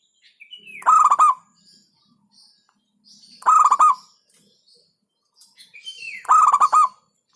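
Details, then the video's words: Local zebra dove song: three bursts of rapidly pulsed rolling coos spaced about two and a half seconds apart, each opened by a brief falling whistle from another bird. "Hentakan Burung Perkutut LOKAL Suaranya Berkelas"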